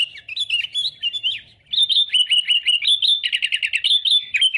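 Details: Sooty-headed bulbul in persistent song meant to lure rivals for trapping: twittering, up-and-down chirps, a short pause, then a fast stream of crisp repeated notes ending in a quick stutter.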